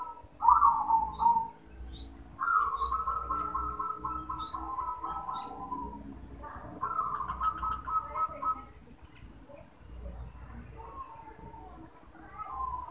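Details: Male zebra dove calling: a short coo burst, then long rattling phrases of quick, rhythmic coos that swell and fade, repeated several times. Sparse, brief high chirps from other birds are heard in the background.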